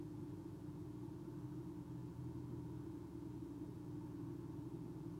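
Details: Low steady traffic or engine rumble with a faint hum, and no owl or other animal sounds.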